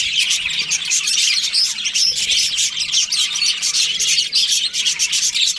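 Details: Breeding-season budgies in a colony, high twittering chatter packed with quick chirps and little whistled upslurs, continuous and lively across the whole stretch.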